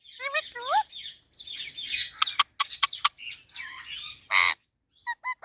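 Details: Talking parrot mixing upward-swooping harmonic notes with rough, breathy chatter, several sharp clicks, a loud harsh squawk burst, then three short clear whistled notes after a pause.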